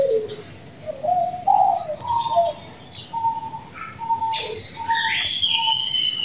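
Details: Champion zebra dove with a very sweet, long-drawn voice, delivering a string of low, rounded cooing notes that rise and fall steadily, while other small birds chirp brightly in the final seconds.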